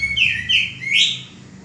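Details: Caged male common iora, kept as a training model for other songbirds, gives three strong notes in quick succession: two short falling slurs, then a brighter rising one.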